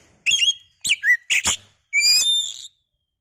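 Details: Oriental magpie-robin singing as a lure meant to provoke another into song: three loud bursts of whistles and slurred notes, then a sustained rising whistle with layered overtones before silence.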